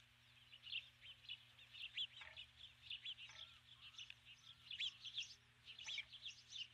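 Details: Female osprey on the nest at dusk after bringing a stick, calling for her mate, who does not come: rapid series of high, sharp whistled chirps in bursts, with faint lower sounds between them.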